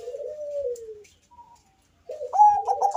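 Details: Bangkok-type zebra dove with a deep bass voice, calling to lure other doves: a long purring coo that sinks in pitch, a quiet gap, then a loud, bubbling burst of stuttered notes.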